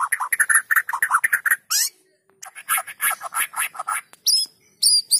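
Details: Lure song of a white-rumped shama meant to get idle shamas singing; a fast stream of rich, chattering notes, then a brief gap and further clipped whistles and sharp high accents.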